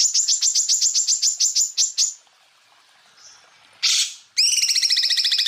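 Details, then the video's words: Greater green leafbird (cucak ijo) song recorded for training other birds: a rapid run of high chirps, a pause, a short harsh rasp, then a fast trill of ringing notes with a layered tone. "MASTERAN cucak ijo full tembakan"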